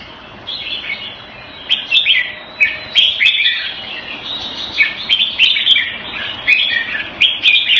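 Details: Jambul, a red-whiskered bulbul kept as a hobby bird, sings bright warbled phrases in short bursts over a steady hissy background with faint clicks.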